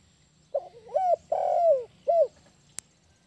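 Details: Spotted dove (tekukur) cooing in the style called kuk 1, used as a lure for trapping birds. It gives a short phrase of soft, hollow, low coos, with a longer, louder middle note and a final falling coo, followed by one sharp click.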